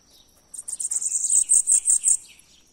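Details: Sibite, or bananaquit, delivering its "O louco" song: about ten very high, sharp, buzzy notes strung into a fast, slightly uneven series lasting roughly a second and a half, in a quiet setting.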